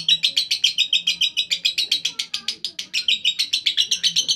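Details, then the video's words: Lovebird in ngekek style, a fast continuous chattering of sharp, high chirps repeated nearly four times a second in an even rolling burst. "Lovebird RAJA ngekek istimewa"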